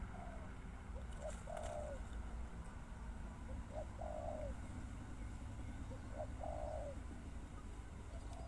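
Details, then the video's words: Spotted dove repeating a three-part coo phrase about every two and a half seconds, short soft notes ending in a longer falling coo, with constant low rumbling and faint vehicle-like noise. "Sound Of Spotted Dove"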